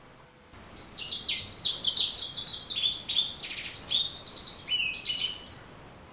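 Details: Male yellow-rumped seedeater kept as a pet, singing a rapid, jumbled run of high chirps, trills and thin whistled notes lasting about five seconds, with quiet room background.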